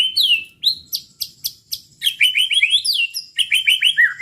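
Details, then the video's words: White-rumped shama singing to trigger rival birds, starting with spaced downslurred whistles, then a quick stream of varied slurred notes and chips, ending with falling whistled phrases. "pancingan muraibatu gacor bikin murai lawan dengar AUTO EMOSI TINGGI"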